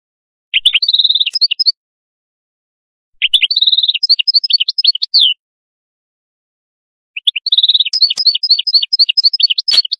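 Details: Three separate canary phrases, each a rolling trill followed by quick rising-and-falling chirps, with silent gaps of about two seconds between them; only faint clicks besides the bird.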